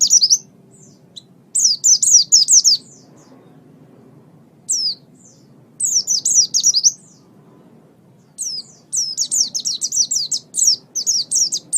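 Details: Pet oriental white-eye (pleci) singing in a master recording for training caged songbirds: bursts of rapid, high, thin twittering notes in short phrases separated by brief silences, with faint low background hum.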